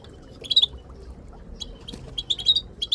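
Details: Female Moroccan goldfinch among a calling group, sounds intended to trigger song in silent goldfinches: loud, slightly buzzy high twitters in short clusters, a gap, then several quick bursts toward the end.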